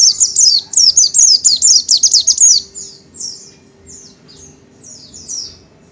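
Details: Oriental white-eye (Zosterops palpebrosus), called pleci or kacamata, a small yellowish-green bird, sings a fast run of very high, sweet, downward-slurred notes for about two seconds, then trails off into softer scattered twitters.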